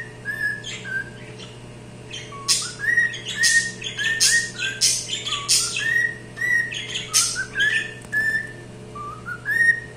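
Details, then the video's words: Cockatiel song: slurred whistles that rise and fall, interrupted by a busy stretch of rough, scratchy chirps in the middle. A faint steady hum sits in the background. "calopsita cantando"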